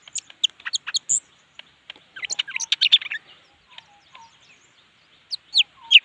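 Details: An excited leafbird sings in irregular volleys of high chirps, trills and slurred whistles. Several seconds of near quiet follow before a few loud descending whistled notes close the passage.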